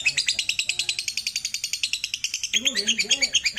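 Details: Lovebird ngekek chatter used to lure others into singing, a quick series of piercing repeated notes, joined after two and a half seconds by lower wavering tones beneath the continuing trill.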